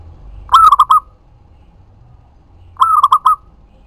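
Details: Local zebra dove, lively singer used as a lure to provoke other doves to answer; two bursts of soft cooing, a longer first note followed by three quick rolling coos, with a faint low hum behind.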